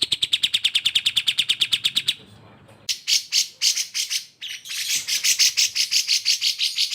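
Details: Grey-cheeked Bulbul (cucak jenggot) singing for pet-bird training, perhaps alongside a Cream-vented Bulbul: an even, rapid series of clipped notes for two seconds, a pause, then raspy, broadband chattering bursts repeated quickly.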